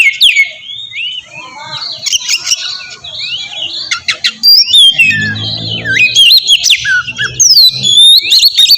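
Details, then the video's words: Lure song of an oriental magpie-robin meant to provoke a reply: rich mix of whistles, rapid chirps and harsh scratchy notes, with a brief low rumbling noise midway. "suara pancingan burung kacer ampuh!! buat pancingan kacer bahan dijamin langsung nyaut"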